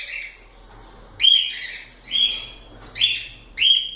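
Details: Cockatiels calling: four loud, harsh rising calls, each with a bright whistled tone, spaced about every 0.7 to 1 second over a quiet background.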